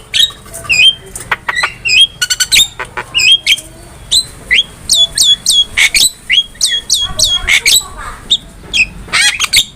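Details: Long, lively song of a Javan myna used to train cage birds, with rapid repeated whistled upslurs, clicks and sharp chips running almost without pause.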